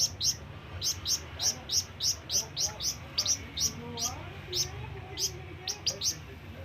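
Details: Scarlet minivet (flamboyan) calling to summon companions or rivals: a long run of sharp, high chirps repeated about every third of a second, with a faint low hum beneath.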